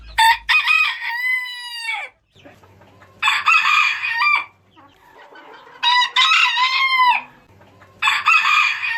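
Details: Rooster crowing from a mix of varied crowing types. Four loud, harmonic crows arrive about every two and a half seconds. Each rises, holds and tails off downward, with a faint low hum in the gaps.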